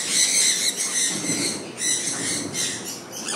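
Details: Sun conures out in the rain, calling with shrill, grating screeches in rapid bursts over the soft hiss of falling rain.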